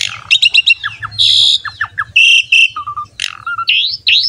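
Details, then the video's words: Champion Asian pied starling singing nonstop as a training and lure recording for other songbirds: rapid chattering notes, a harsh buzzy burst, falling whistles, then steady mid-pitched whistles and rising slurs, over a faint low hum. "MASTERAN DAN PANCINGAN BURUNG JALAK SUREN GACOR JUARA"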